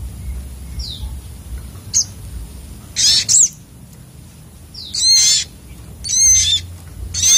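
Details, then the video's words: Agitated sunbird (sogok otong) song: irregular shrill high bursts, some doubled, with thin sliding whistles between them, spaced one to two seconds apart over faint low hum. "burung sogok otong terapi ngamuk"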